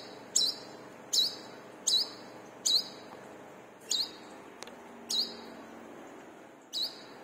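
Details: Lively brown-throated sunbird (kolibri kelapa, wiceh) singing, offered as a lure to spur other birds to sing. Bright, high, down-up chirps repeat roughly every 0.8 seconds over faint steady hiss, eight notes in all.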